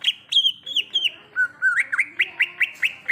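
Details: Greater green leafbird (cucak ijo) singing in the wild, forest: short whistled notes with sharp upward and downward inflections, delivered in quick succession, ending in a steady string of similar chirping notes.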